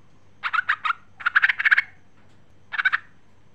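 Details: A female sooty-headed bulbul calls to a male, used as a lure, giving quick bubbly chattering bursts of four to eight rapid notes with short pauses between, over faint low hum.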